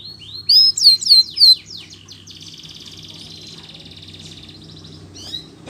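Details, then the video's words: Lively canary song meant to stimulate canaries that have stopped singing: a few loud, sweeping whistled notes, then a fast, fine trill held steady for several seconds, ending with a brief chirp. "PANCINGAN BURUNG KENARI GACOR ADA JEDA"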